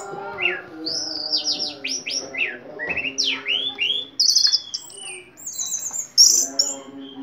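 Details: Ringed orange-headed thrush in full, vigorous song: rapid runs of downward-sweeping high whistles, varied chattering and mimic-like phrases pouring out without pause, over a steady low humming drone.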